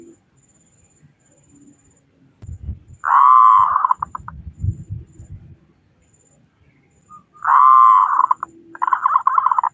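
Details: Local Indonesian zebra dove with a big voice, its song used as a lure to prompt other doves to sing quickly; two loud, rich cooing phrases about four seconds apart, with low thumping and handling noises between them.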